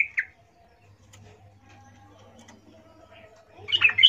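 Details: A female yellow-vented bulbul calling to a male gives a brief chirp, then a burst of harsh, bubbly chattering notes, with a faint low hum between them.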